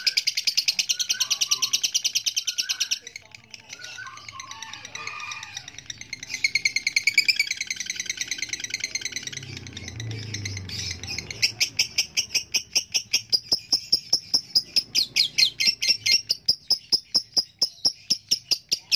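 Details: A lovebird from Surabaya, a competition bird able to sing over 5 minutes in one bout, gives a long, unbroken stream of rapid, shrill chattering and ticking notes.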